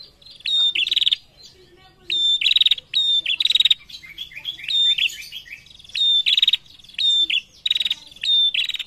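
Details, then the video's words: Female prinia in reply to males gives repeated buzzy phrases. Each is a sharp whistle leading into a fast rattling trill, and some softer chattering notes fall between the bouts. "SUARA PRENJAK BETINA GACOR SAUT JANTAN"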